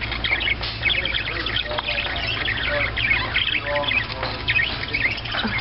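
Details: At a pet store, many parakeets chatter at once in a steady wash of high, scratchy chirps and warbles, with people talking quietly underneath.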